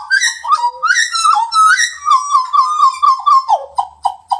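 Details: Pied butcherbird singing fluty, harmonic whistles that rise and fall in a flowing phrase, settling into a wavering, steady-pitched warble before ending in several short clipped notes.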